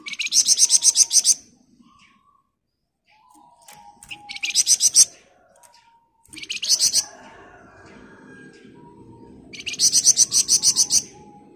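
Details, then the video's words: Busy flamboyan bird pours out four fast buzzy ngebren bursts, each a rapid stutter of high rasping pulses, recorded as master audio for training birds; a steady low background hum runs through the second half. "Burung Flamboyan Gacor Ngebren Rapat"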